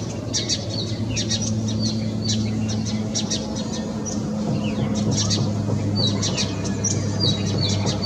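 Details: Indian house sparrow calling: a rapid run of short, high chirps and cheeps repeated throughout, over a steady low mechanical hum.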